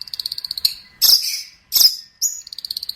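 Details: Long-tailed shrike master song for training birds: a fast ticking trill of high notes broken by two harsh, noisy bursts and a short rising whistle, then the trill resumes.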